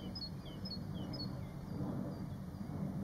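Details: Several White-faced whistling ducks recorded on a farm in 2019: short, sharp whistles sliding downward, often in doubled notes, heard faintly above constant low-pitched rumble.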